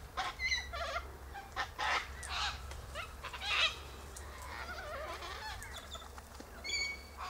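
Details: Sulphur-crested cockatoos feed on silky oak seed pods high in the tree. Many overlapping squawks and wavering calls come roughly every second or two, some harsh and some ringing, over a faint low hum.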